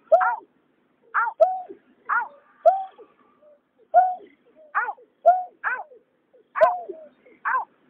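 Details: Calls of a male and female greater painted-snipe, 2021, used for luring migratory birds at night: rapid run of harmonic two-note hoots, higher then lower, repeated at irregular sub-second to one-second intervals with faint clicks between.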